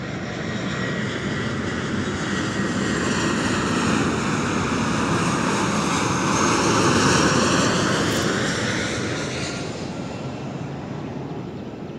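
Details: A loud propeller aircraft roars steadily overhead, swelling and fading, with no animal voices audible.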